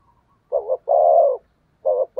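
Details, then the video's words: Decoy spotted dove in thúc gù cooing used to attract wild doves: a short wavering note and a sustained even coo, followed quickly by further short coos in close succession. "Chim Cu Mồi/ cu gáy thúc gù cực đỉnh kích bổi dợt mồi hiệu quả"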